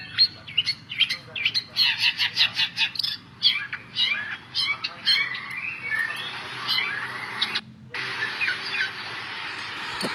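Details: Lure song of a long-tailed shrike, meant to coax a bird that is reluctant to sing: rapid scratchy chatter and rising whistled notes, softening into thinner warbled phrases, with a brief cut partway through.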